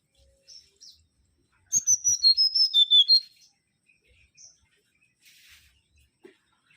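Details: Mangrove whistler (Pachycephala grisola) singing energetically. After a couple of soft, scattered notes, it delivers a run of about nine clear whistles descending by steps and ending on a higher note. A brief faint click follows.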